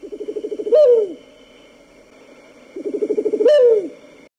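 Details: A Southern White-faced Owl (Ptilopsis granti) gives two calls, each a quick stuttering run of low hoots ending in a louder, drawn-out, falling hoot.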